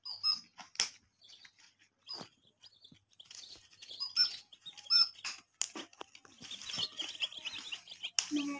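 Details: Baby chicks chirping, bright high peeps in scattered bursts with gaps, growing busier and more continuous toward the end, mixed with light tapping and rustling.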